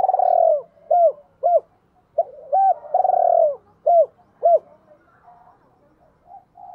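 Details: Spotted dove used as a decoy, cooing to lure females in the gáy gọi hai hậu style. Two phrases, each opening on a long rolling descending coo followed by two or three short hooked notes. Softer coos at the end.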